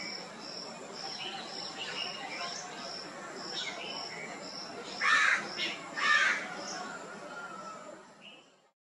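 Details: A male Indian peafowl in Delhi's humid monsoon heat gives two loud, harsh calls about a second apart over a steady high insect chirping that pulses roughly once a second.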